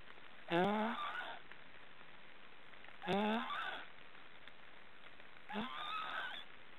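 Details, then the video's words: Young black storks in a forest nest in Estonia making snoring sounds: three hoarse, nasal rising calls about two and a half seconds apart, each with an upward-sliding tail, with faint forest background noise. "Black storks are snoring"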